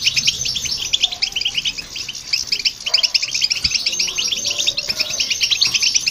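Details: Singing goldfinch and a hybrid, used to prompt other birds to sing: lively, rapid chirps and metallic trills packed closely, fluctuating in volume, with brief low clicks.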